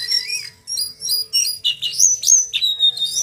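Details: Male brown jongkangan singing in training style, with rolling, twittering and fluting phrases: high whistled slurs, some rising, others falling, delivered in rapid uneven bursts over a faint low hum.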